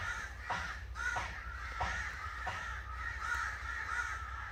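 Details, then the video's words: Angry crow calling: harsh, raspy caws run together almost without pause, with short louder bursts roughly every half second to second over a steady low rumble. "Angry Crow Sounds"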